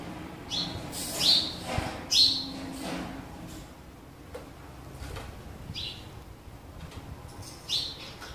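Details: Sparrows fighting each other over a new nest box: a few short, high chirps burst out near the start, then fainter scattered chirps over a steady low background hum.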